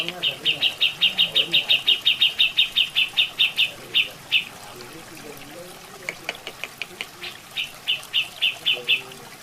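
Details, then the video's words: Grey-cheeked bulbul (cucak jenggot), a natural masteran recording: a long, steady train of about twenty bright, high chirps, a pause with splashing water, then a shorter run of similar notes over trickling water. "Suara Asli Masteran Burung Cucak Jenggot"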